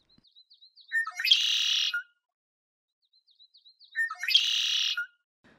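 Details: Red-winged Blackbird near Port Alberni, Vancouver Island, BC, giving its song twice: a few quick introductory clicks, then a harsh, buzzy trill lasting about a second, repeated three seconds later.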